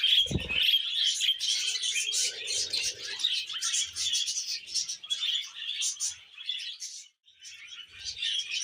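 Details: Pet budgerigar in a happy mood, keeping up a busy stream of high twittering, rasping notes and short squeaks, briefly pausing near the end, with a low thump at the very start.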